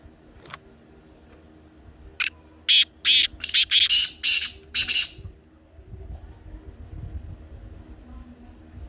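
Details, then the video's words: Black francolin (kala teetar), a recording used to get kept francolins calling: a burst of about seven harsh, rasping, high-pitched notes in quick succession, then quiet with low background rumble. "کالا تیتر کی بولتی آواز"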